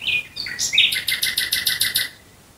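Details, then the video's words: Nightingale singing at night near Dresden: a few high whistled notes, then a sharp upward slur, then a fast run of about nine identical bright chipping notes, repeated evenly before stopping. "Nachtigall Gesang Geräusch. Singing Nightingale Sound."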